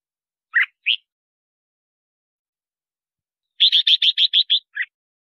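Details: Red-whiskered bulbul singing, used for luring wild birds and voice training: two lone whistled notes, a long pause, then a rapid, regular series of about eight bright repeated notes ending in a lower note.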